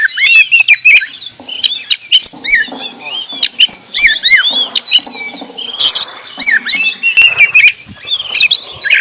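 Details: Oriental magpie-robin pouring out a dense, varied song of high whistles, downslurred notes and buzzy chatters, with some low clattering noise underneath.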